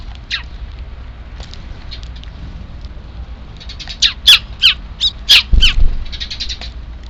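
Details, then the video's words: Sparrow chicks calling on 3 April 2024, prompting an evening feeding; faint chirps early, then a loud rapid series of about six harsh high chirps, and soft chatter around them. "ヒナ特有の鳴き声が聴こえたので 夕ご飯投入"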